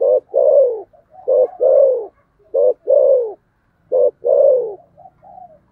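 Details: Spotted dove delivering repeated thổ sấm fighting coos. Each phrase is a short clipped note followed by a longer, rich, falling coo, repeated about every 1.3 seconds. The soft trailing murmurs between phrases are clear against near silence.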